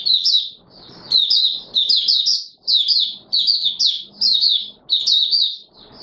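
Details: Oriental white-eye song from 24 March 2022, with rapid high-pitched warbled bursts repeated roughly every second, each a jumble of sharp up-and-down notes, over a quiet background.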